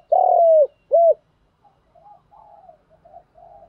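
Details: Spotted dove singing in the đồng pha thúc gù style. A long, drawn-out coo sliding gently down is followed by one short rounded coo, then a run of soft, murmured low coos.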